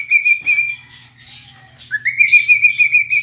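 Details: Pet cockatiel singing while dancing and rubbing its tail: a long, steady whistled note, a burst of scratchy chatter, then a rising whistle that settles into another sustained tone, over a faint low hum.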